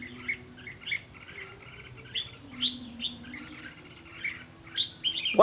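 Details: Red-whiskered bulbul at a trap baited with a decoy bird, 18 September 2016, the trap not closing: a run of chattering, warbled whistles and short rising notes, bursts every half second, ending in a sharp knock.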